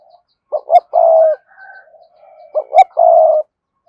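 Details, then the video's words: Spotted dove of the cườm sa type, cooing to prompt male birds to coo quickly: two short low notes then a long steady coo, the phrase given twice about two seconds apart, with faint softer cooing between. "cu gáy thúc gù CƯỜM SA, cu gay kich boi nhanh noi gù"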